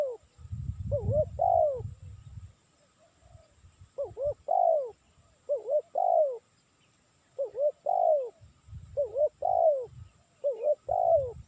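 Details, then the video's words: Spotted dove calling, recorded as a lure for trapping: about seven cooing phrases at irregular intervals, each a pair of short wavering notes and a drawn-out falling coo, over intermittent low rumbling. "Suara Burung Tekukur Cocok Untuk Mikat"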